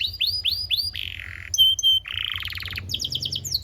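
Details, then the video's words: Young canaries can learn from this canary song: a few rising-falling whistled notes, a buzzy low roll, sharp clear whistles, then a rattling trill and a quick high series. "PANCINGAN KENARI GACOR DURASI DURASI PANJANG UNTUK MASTERAN KENARI PAUD BELAJAR BUNYI DAN GACOR"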